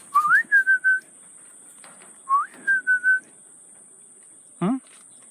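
A cockatiel gives a clear whistled phrase, a rising note then a few level notes, repeated twice.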